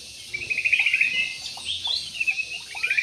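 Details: Large budgerigars in an aviary give rapid high chirps and warbled twitters after a brief quiet opening.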